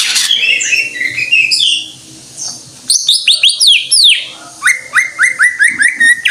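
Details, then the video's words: Greater green leafbird singing vigorously: a jumble of high squeaky phrases, then fast descending whistles and a regular run of short upslurred notes repeated about twice per second. "Suara Burung Cucak IJO FULL Gacor"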